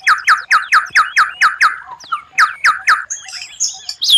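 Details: White-rumped shama (murai batu) tutor song of rare phrases meant to impress rivals: steady string of bright downslurred whistles about four per second, a short pause with soft warbles, then more whistles and high twisting notes.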